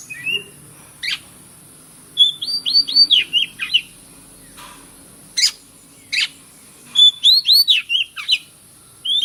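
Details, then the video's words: White-rumped shama, a bird recorded for real, singing loud varied phrases: rising whistles, runs of rapid repeated slurred notes around the middle, sharp vertical chips, bursts separated by short pauses; steady high hiss behind. "PANCINGAN BURUNG KACER YANG MACET BUNYI"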